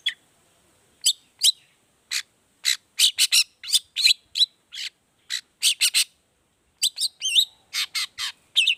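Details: Long-tailed shrike lure song with 'toet toet' variations, meant to prompt other shrikes to sing: sharp, high chirps and short twisting whistles in uneven bursts, with brief silent gaps.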